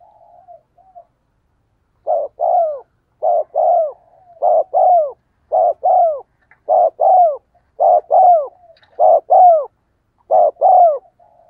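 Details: Spotted dove cooing from a decoy recording, played so wild doves coo in reply. After a soft opening note, eight regular doublets follow, each a short coo then a longer downward-curving one, repeated about every second.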